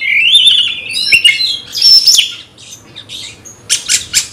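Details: Magpie-robin goaded toward a rival: a rising whistled phrase and harsh squawky notes, fading to quiet before a few raspy bursts at the end.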